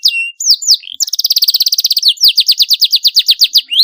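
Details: Canary chirps, a 'cuit cuit' sound used to stimulate young birds learning to sing: a few high whistled slurs, then rapid trills of sharp down-slurred notes repeated about eight times a second, with no other sounds.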